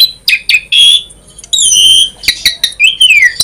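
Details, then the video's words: Varied song of an Asian pied starling full of inserted phrases, mixing short buzzy notes, a sustained high whistle, sharp clicks and a final descending slurred whistle. "Jalak Suren Gacor Full Isian ‼️ Variasi"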